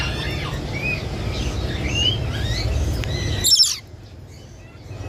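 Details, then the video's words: Parakeet giving several quick, curved chirps and rising whistles over a loud low-pitched background hum, ending with a sudden harsh burst of noise before the background drops away. "The sound of the tia bird is very nice to hear"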